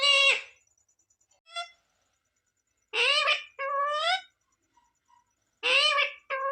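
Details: Parrot speaking "Radhe Radhe" and "Mithu Mithu", known for singing bhajans. Several shrill, wavering, word-like syllables come in separate bursts, some long and some clipped, against near silence.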